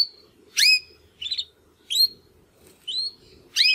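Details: Young Timbrado canary making its first attempts at song after its first molt: a few separate upswept whistled notes and a short buzzy chirp, spaced by pauses of about half a second.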